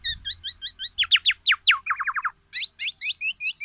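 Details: Tame, highly vocal black-naped oriole giving its loud, resounding song: a run of short paired chirps, then fast descending whistled strokes, a burst of quick downslurred notes, and bright rising chips repeated about twice a second.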